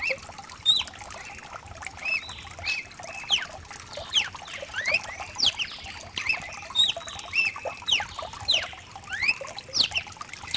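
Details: Lively song of a mutation cardinal for warming up a cardinal: rapid, overlapping runs of bright whistled slurs and chips, rising and falling, continuing for ten seconds over soft rain.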